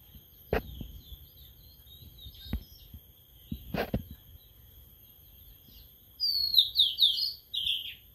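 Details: Newly kept caged sulingan laut beginning to sing after three days: several seconds of faint knocks and clicks, then a two-second outburst of rapid high, sweeping, twittered notes, ending in a short slurred trill.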